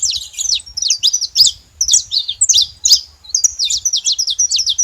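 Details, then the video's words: Saffron finches noisy at the feeder: rapid, high-pitched twittering chirps in tight clusters separated by brief gaps, with a light low hum behind. "Canário da terra fazendo muito barulho na seva"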